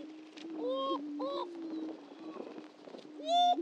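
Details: At a historic lek on Dunn Ranch Prairie in Hatfield, Missouri, displaying greater prairie-chickens keep up a continuous low booming hum while paired hollow whooping notes and a final rising whoop ring out above it.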